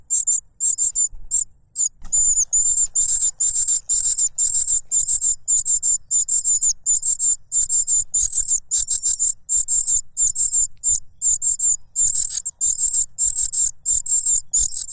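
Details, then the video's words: Noisy cuckoo chick grabbing for food from its foster father, who uses a butterfly to stop its mouth; long, nearly continuous run of shrill, sibilant high notes, becoming denser and louder after the first two seconds. "The cuckoo bird is too noisy when trying to grab food杜鹃鸟抢食太吵闹了"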